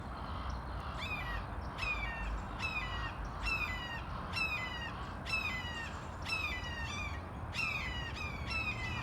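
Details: Red-shouldered hawks in San Antonio, Texas, in February 2021 give a dozen loud, harsh, down-slurred kee-ah screams in quick bursts, claiming their airspace from other birds, over a low background rumble.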